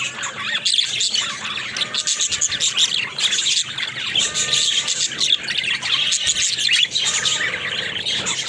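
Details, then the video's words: Budgerigars keep up a dense, high twittering chatter, a mix of fast clicks, squeaks and buzzy warbles with no pause. "Funny Talking Budgies"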